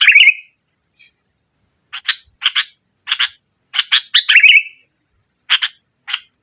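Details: Sooty-headed bulbul in lively, dominant 'nggaruda'-style song used as a lure to prompt a silent bird: a burst of harsh chirps and a rolling trill, then clusters of sharp chirps repeated about every second, with a faint steady high whine.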